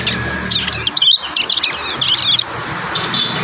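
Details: Juvenile prinias composing their song in the wild: a rapid jumble of high, scratchy chirps and brief whistled slurs over constant hiss.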